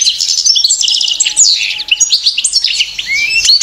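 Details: Female European goldfinch building a nest, giving a dense, continuous twitter of rapid buzzy and tinkling high notes with quick rising and falling slurs throughout.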